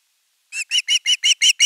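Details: After brief silence, an osprey at nest 3 begins begging for fish, 10 August 2021. Seven loud, sharp whistled notes follow one another quickly and evenly.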